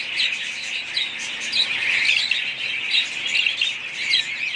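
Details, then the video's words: A group of budgies calling together: constant high twittering and squawky warbling overlap in a dense wall of sound, with louder bursts at regular intervals. "budgies parrots"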